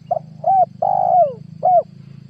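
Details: Spotted dove call recorded as a trapping lure for wild doves, 2022: a four-note phrase of soft coos, a short note, a clear coo, a long sliding descending coo, then a final coo, over a low hum.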